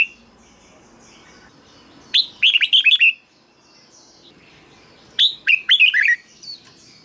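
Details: ['Red-whiskered bulbul delivering two fast, tumbling whistled phrases about three seconds apart, each a rising note followed by several quick descending slurs. The song is played to make caged birds lively or to lure others.']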